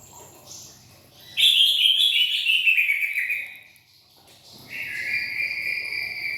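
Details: Greater green leafbird singing: a loud, bright whistled phrase that slides downward over about two seconds, a short pause, then a long, steady, high whistled note held to the end; faint low background murmur.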